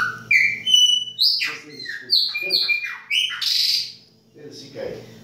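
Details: Chopi blackbird singing in baianinho style during winter, a fluent phrase of clear whistled notes jumping between pitches, mixed with buzzy and rasping syllables, with short pauses between bursts. A low hum sits underneath.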